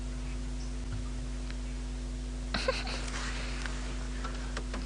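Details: Constant low engine hum with a sudden clunk and rattling partway through, no animal voice.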